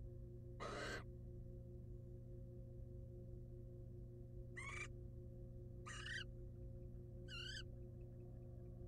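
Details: Wild barn owl mother at her nest box with eggs, after eating a mouse; four short, harsh, rasping screeches spaced several seconds apart, the last ones wavering, over a steady low hum.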